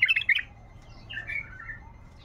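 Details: Wild bulbul singing: a quick cluster of bright chirps, a short pause, then a run of clear warbled notes that slide down and fade, over a faint steady hum.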